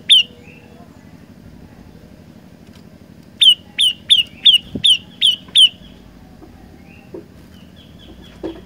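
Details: Olive-backed tailorbird giving a short burst of seven sharp, high, downslurred notes in quick succession, framed by quieter stretches with faint chirps and soft background noise.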